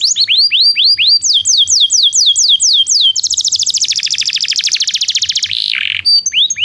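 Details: Song of a Belgian canary, played as training for non-singing canaries: a series of clear falling whistled notes, then a long rapid buzzing trill and a short harsh lower phrase before the whistles resume.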